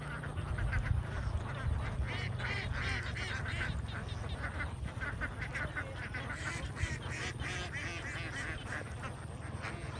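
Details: A huge flock of young domestic ducks on a Vietnamese farm: dense, continuous overlapping quacking and chatter from many birds at once, with a steady low rumble underneath throughout.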